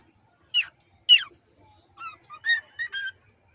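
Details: Hand-fed cockatiel on day 23 of a hundred-day hand-feeding challenge, giving two loud raspy notes followed by four softer whistled chirps, all within a few seconds, in an otherwise silent room.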